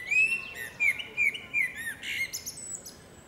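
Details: Female common blackbird singing in a forest: clear fluted whistles near the middle of its range, several short phrases spaced roughly every third of a second, then thin high twittering notes toward the end, over a quiet background.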